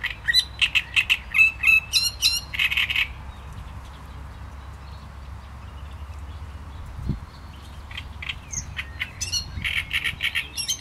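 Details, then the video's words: Great reed warbler song: loud, harsh, chattering syllables repeated in quick bursts, a quiet gap in the middle, then another run of grating, repeated notes. "Trzciniak i jego śpiew"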